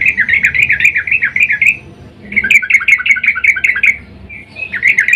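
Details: Calls of a breeding-mood female sooty-headed bulbul summoning the male, used as a lure: two long runs of rapid, warbling chatter separated by a brief pause, with a third run starting at the end.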